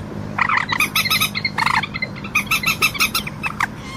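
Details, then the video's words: Common moorhen uttering quick, throaty clucks in short rattling groups over a steady low background hum. "ডুংকোর পাখির অরিজিনাল ডাক / ডুংখোর পাখির ডাক / জল মুরগী পাখির ডাক / Common Moorhen bird call"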